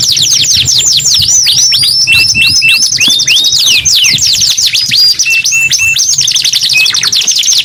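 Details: Canary singing loudly and continuously: rapid trills of downward-sweeping notes between high whistles, with flat tonal notes held in short runs and fast rattling phrases, steady low hum underneath.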